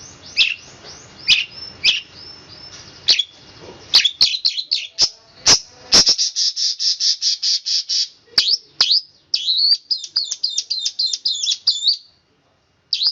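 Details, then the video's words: Long-tailed shrike (cendet) singing a fast rolling song: harsh scratchy notes at first, then a rapid even run of buzzy repeated notes and twittering phrases, ending abruptly. "cendet roll speed rapat om kicau"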